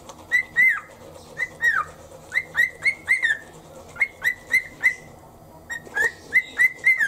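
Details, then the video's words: A domestic cockatiel sings along to toothbrushing rhythm in the morning: steady, evenly spaced clear whistles, many bending downward at the end, in repeated bursts of three to four notes. "歯磨き中のリズムにノリノリのオカメインコ Cockatiel sings to the rhythm in toothpaste."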